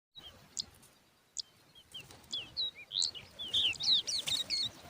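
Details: Young lark chicks, described as very thirsty and hungry: high, thin chirps and squeaky slurred notes, sparse at first and then crowding into a busy overlapping chatter.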